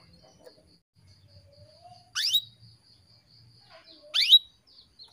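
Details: Female canary calls used to rouse males into breeding condition: two sharp, descending chip notes two seconds apart, with a soft low whistle and faint background murmur.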